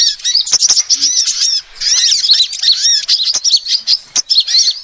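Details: A female sunbird gives lure calls: an unbroken stream of high, sweet twittering with arched and rising-falling notes, tumbling rapidly over nearly five seconds, punctuated by brief sharp clicks.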